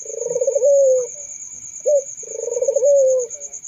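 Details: Barbary dove cooing twice: a rolling, trembling purr rising into a clear sustained tone, separated by a short clipped note, with a faint constant high whine.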